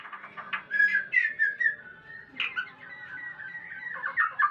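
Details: White-rumped shama during mating, singing a long, continuous stream of slurred, melodious whistles and warbles, with louder bursts early and near the end over a faint low hum.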